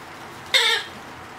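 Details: A two-month-old hand-fed Blue-headed Parrot (Pionus) chick gives one harsh, raspy begging squawk, about a quarter-second long, during feeding, against a quiet background.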